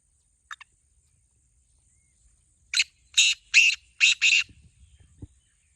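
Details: A faint short chip, then a black francolin delivers a loud phrase of five harsh, grating notes. Soft low rustling follows.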